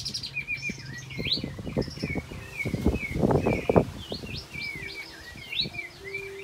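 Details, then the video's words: Olive-backed white-eye singing steadily as a lure to prompt silent white-eyes to sing: rapid chains of high, thin twittering notes and short slurred whistles, over low thumping and rustling handling noise. "Kapas Tembak Gacor Mbeset Nembak Siulan Roll Untuk Pancingan Kapas Tembak Macet Bunyi"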